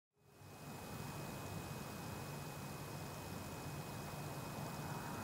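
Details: Steady broadband hiss like rushing wind or traffic with a faint constant high tone throughout; no animal calls are heard.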